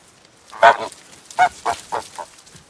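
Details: Farm goose honking: one loud nasal honk followed by a run of four shorter, fading honks spaced about a quarter second apart, in a quiet setting.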